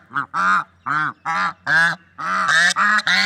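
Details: Nasal honking from swans in nature, roughly nine harmonic calls that come faster and merge toward the end.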